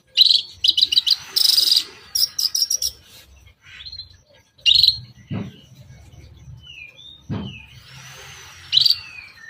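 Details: Long-tailed shrike toet toet lure song used to attract other shrikes: clusters of harsh rasping high notes and chatter, a few thin whistled slurs, and two brief low knocks in the background.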